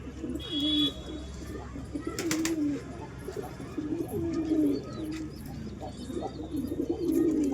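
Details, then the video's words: Pigeons giving deep, burbling coos in short phrases a second or so apart, with a faint high whistle from another bird and a few sharp knocks. "Real pigeon sound"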